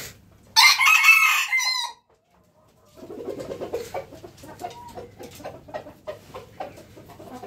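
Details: A red junglefowl rooster gives one short, harsh, clipped crow lasting under two seconds. After a pause come softer clucks and scratchy background sounds.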